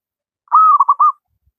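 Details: A single zebra dove phrase: a smooth sustained coo that breaks into three quick pulses, from a local wild bird used to train lazy doves to sing.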